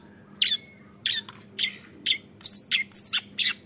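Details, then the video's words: Young long-tailed shrike producing spaced harsh chattering notes and a few high squeaky ones, roughly two per second, over a faint steady low hum. "MENYAKSIKAN GAYA CENDET MUDA"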